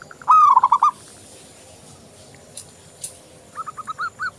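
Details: Perkutut lokal, the local zebra dove, in lively song for luring: one loud rolling phrase of quick cooing notes, a pause with two faint clicks, then a softer series of spaced notes.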